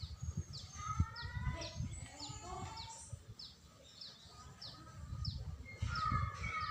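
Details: Greater green leafbird in lively song on 21 December 2024: a run of sharp, high, down-slurred notes repeated about twice a second, with lower twittering phrases and a louder burst near the end, over constant low background rumble.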